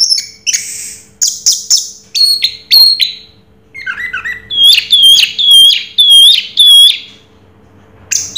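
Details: Orange-headed thrush singing in the 'raja teler' style: high, varied phrases, first buzzy and scratchy notes, then a run of clear, looping whistled notes repeated about twice a second, with a faint steady hum underneath.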